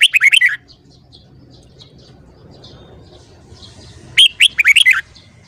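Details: Red-whiskered bulbul in morning song, caged and being voice-trained: two brisk phrases of quick, tumbling whistles, one at the opening and one near the end, with faint chirps between.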